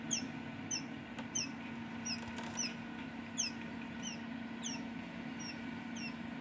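Newly hatched quail chicks give high, thin, falling peeps, several each second, over a steady low machine hum.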